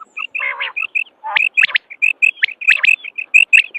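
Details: Common quail calls from a recording of male and female quail sounds used to lure quail for hunting: busy high chirps and short sharp notes, with a lower buzzy harmonic burst near the start.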